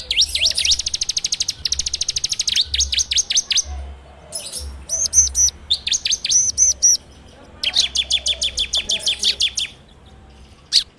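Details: Ciblek, the bar-winged prinia, in a full ngebren lure song recorded on Android: fast rattling trills alternating with sharp down-slurred chips and high squeaky notes, ending in near silence with one final chip.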